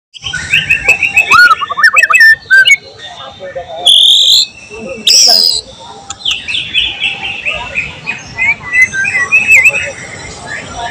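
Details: White-rumped shama (murai batu) singing vigorously (gacor), in a training mix that adds mimicked material from other birds: cililin, cucak jenggot, canary, lovebird. Loud whistled and trilled phrases, sweeping up and down, then a dense run of rapid chirps.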